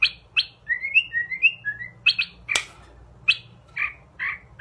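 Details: White-rumped shama, described as an expensive class bird, giving short rising whistled notes mixed with brief chattering phrases, punctuated by one sharp loud click.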